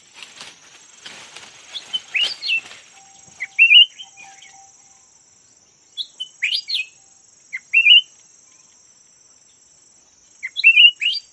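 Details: Yellow-variety red-whiskered bulbul kept as a decoy bird, giving short warbled phrases every two to three seconds, with rustling noise at the start and a constant high whine.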